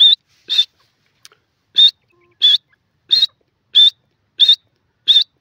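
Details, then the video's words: Grey francolin giving a loud, high call of short, piercing whistled notes. They repeat steadily, roughly every two-thirds of a second, eight in all, against a quiet background. "grey francolin call pheasant birds awaaz"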